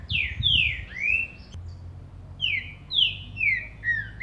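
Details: A Green-winged saltator (trinca-ferro) song played to stimulate a captive bird: loud, clear whistled phrases of downslurred notes, two bursts about a second apart, over a faint low hum.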